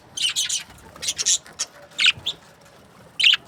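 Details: Budgies kept as breeding pairs make short, sharp high chirps in small clusters, with brief silences between groups.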